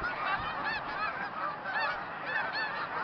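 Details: Huge flock of about 3,000 to 4,000 snow geese, mixed with several hundred Canada geese and mallards, in a field on Route 34B, Tompkins County, New York, on 20 December 2009, birds leaving and arriving. Dense, overlapping high nasal honks form a constant chorus.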